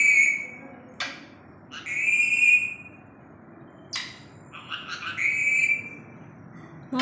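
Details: Captive talking parrot mimicking the words "Md wali": loud, tonal, whistled speech-like phrases with sharp clicks between them, repeated three times over several seconds in a quiet indoor setting.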